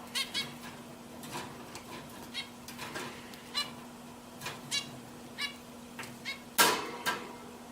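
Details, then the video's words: Pet zebra finches giving short nasal beeping calls, scattered irregularly with a louder burst near the end, over a steady low electrical hum. "My Zebra Finches Singing"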